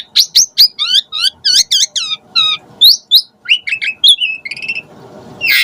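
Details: Asian pied starling singing a lure song with varied phrases, loud and rich: a long run of whistled, slurred and harsh notes, many sharply rising or falling, ending in a raspy burst.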